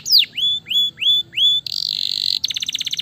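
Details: Gloster canary fighter bird in energetic song: a few drawn-out rising whistles, then a harsh buzzy tour, followed by a quick stuttering series of clipped notes.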